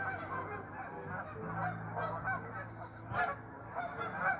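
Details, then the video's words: A flock of restless geese keeps up a continuous mass of nasal honks, several birds calling at once, one sharper louder honk standing out near the end. "Restless geese!"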